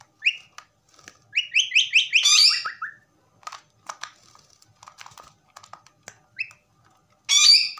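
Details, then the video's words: A pet common myna gives a run of quick rising whistles that drop into lower notes, then scattered clicks and chatter, ending with another loud whistled burst. "myna whistling"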